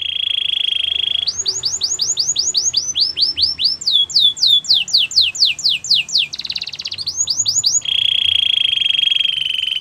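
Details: Belgian canary singing for training young birds: a steady rolling trill, then rapid series of downward-sweeping whistles, a brief harsh buzz, more sweeps, and a return to the rolling trill.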